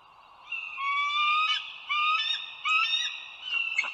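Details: Bald eagles at Dulles Greenway, northern Virginia, on 16 April 2022 at 08:55, giving clear whistled notes in short bursts, each sliding slightly upward, then a harsher, broken chatter near the end. No other sounds intrude.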